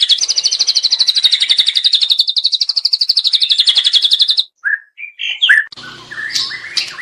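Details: A frequently singing juvenile white-rumped shama delivers a long, rapid, level trill for over four seconds, then breaks into short separate whistled and buzzy notes.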